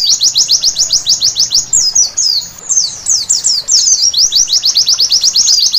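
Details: A white-eye at night sings rapid, very high, thin chips, about nine a second, breaking into a jumbled twittering warble midway before the fast chips resume.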